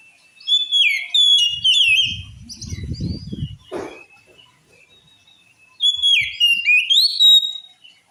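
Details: Oriental magpie-robin singing a phrase said to provoke males to fight: loud sweeping whistles and chirps, a rustling low noise and a flutter mid-way, then another bright whistled phrase.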